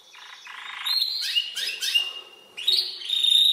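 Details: Spanish Timbrado canary, seven months old, trained on recorded timbrado song; rapid metallic trills and rattling rolls give way to sweeping whistled notes and a bright sustained ringing trill at the end.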